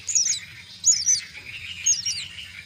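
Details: Nestling mynas fed at their nest call in short, shrill squeaky bursts roughly every second, over a continuous hoarse chatter and a low background hum.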